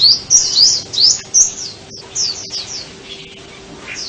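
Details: Sunbird singing a fast run of sharp, high-pitched slurred chirps that is loud at first, then fades into softer, scattered high notes; a steady low hum sits underneath.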